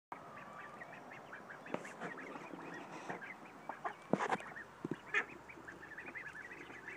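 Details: A group of Khaki Campbell and Mallard ducks quacks and chatters in overlapping, nasal bursts, with louder harsh quacks near the middle and a low, steady background hum.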